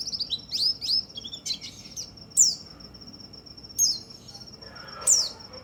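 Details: White-eye song used to stimulate other white-eyes: thin, high chirps and sweeping whistled notes, broken by sharp upward flicks, over a long steady high tone that runs through most of the recording, with faint low background hum.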